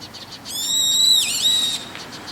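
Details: Brown-eared bulbul calling in the evening from a roof: one long, shrill, harmonic-rich whistled note, held steady, then dipping and recovering near its end, over a constant background hiss.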